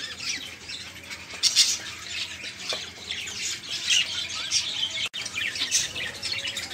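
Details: Dense chorus of caged budgerigars chattering, used to tutor and prompt other caged songbirds. Overlapping shrill squawks, buzzy warbles and quick chirps run almost without pause, with a brief break near the end.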